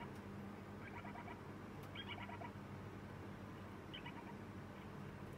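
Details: Lineolated parakeet chick on its second day in a new home, giving three short bursts of soft, chattering, nasal "pee-popo" begging calls, calling while being fed, over a steady low hum.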